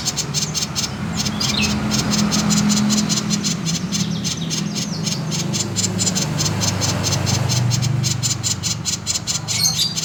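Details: Konslet-style song of a common iora, meant as a lure to get other birds singing: a long run of sharp, high chattering pulses repeated quickly, with a brief gap midway and a constant low droning hum beneath.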